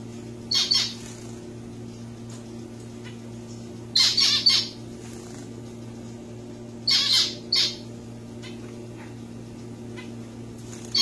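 A zebra finch gives harsh, nasal squawking bursts, four short clusters over eleven seconds, against a steady low indoor hum.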